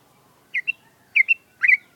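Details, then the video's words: Sooty-headed bulbul (trucuk), a kept bird given morning dew exposure and sunning to encourage its song: three bubbly two-note phrases, each a bright burst followed by a short clear whistle, spaced about half a second apart in a quiet setting. "BURUNG TRUCUK NGEWERRR"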